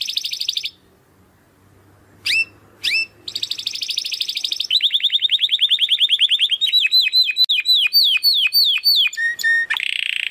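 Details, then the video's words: Belgian canary singing in the 'estralando' style: high, bright song of fast repeated trills and sweeping notes, shifting from buzzy rolls to rapid downslurred chips at about three per second, with short pauses between phrases. "CANÁRIO BELGA CANTANDO ESTRALANDO !"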